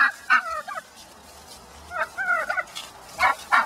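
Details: Agitated hen in a backyard pen, put back among flockmates that had attacked her, giving crazy turkey-like squawks: quavering, wavering, rough bursts in quick clusters with brief gaps, close and loud.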